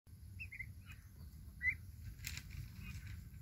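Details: Young turkeys outdoors give a few short, high chirping peeps, some paired and slightly rising, scattered over a few seconds against a steady low rumble of background noise.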